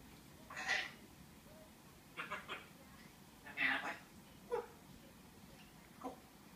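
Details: Pet female African grey parrot indoors trying to open a door, scolding it with "Hey" and calling it with "kom" (come); several short voice-like utterances spaced a second or two apart, quiet room background.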